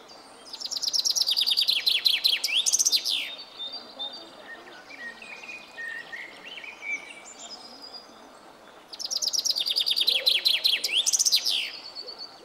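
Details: A chaffinch perched high in a tree sings two bright, rattling phrases about three seconds long, each a fast run of notes dropping in pitch to a flourish, with softer chirps from other birds between.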